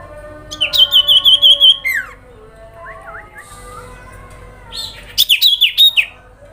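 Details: Sooty-headed bulbul giving the grincingan call, used to provoke other bulbuls into a response: a quick series of high trilled notes, a short downslurred note, soft mid-pitched notes, then another fast trilled burst, over a steady low hum.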